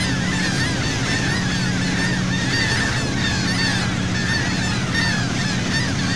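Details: Many gulls call together in overlapping, squealing mewing notes, a steady chorus throughout, over the loud low drone of a boat engine, recorded from a sea boat at Saint Martin, Cox's Bazar, Bangladesh.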